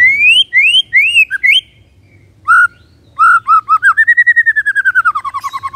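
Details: Caged white-rumped shama in kretekan style, meant to stir up emotion: loud rising whistled slurs with a gap, then a rapid descending series of clear repeated notes.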